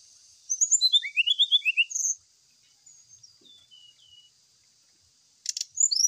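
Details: Jungle flycatcher, brown-chested, as a lure to make a caged bird sing while dew-aired: a rapid cascade of high slurred whistles, faint soft notes after, then a dry rattle and rising whistle.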